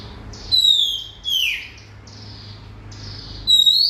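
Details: Oriental magpie-robin song with two drawn-out descending whistles early on, a quiet gap, then a rising whistle at the end, over a low steady hum.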